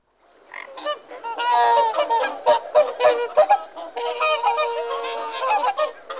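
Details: Whooper swans calling in a dense chorus of loud, bugling, trumpet-like honks, many overlapping voices with rich harmonics, rising and falling in bursts across six seconds.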